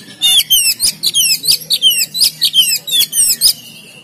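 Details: Oriental magpie-robin singing gacor style in Pemalang, a dense string of bright, rapidly slurred high whistles, about four notes a second for over three seconds, ending in silence; faint low hum beneath.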